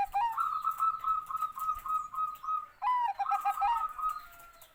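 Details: Bangkok-type zebra dove in a long rolling song: a rising coo leading into a steady, rapidly pulsing trill held at one pitch for over two seconds, then repeated.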